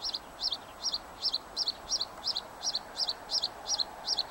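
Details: Bluethroat singing a short, bright two-part phrase of high notes, repeated steadily about every third of a second, eleven times in a row, over a faint low background hum.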